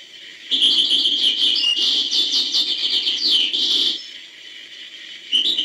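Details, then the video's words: Long, rapid hbal-style phrase from a European goldfinch: dense, tinkling, high twittering notes roughly four per second for several seconds, then a pause and a fresh burst. "chant chardonneret hbal"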